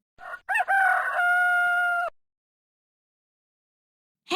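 A rooster gives one full crow: two short clipped notes, then a long, steady, strained cry held for over a second before it cuts off into silence.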